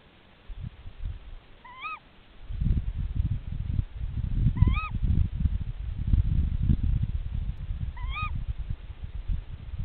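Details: Mated tawny owls exchanging calls near their nest: three sharp, nasal, upslurred-then-dropping calls roughly three seconds apart, heard above heavy low-pitched rumbling noise.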